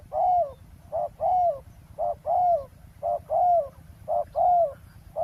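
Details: Spotted dove calling at a roadside ground decoy trap: loud, mellow coo phrases with a quick two-part opening and a drawn-out, gently falling note, repeated steadily roughly every second over a faint low hum.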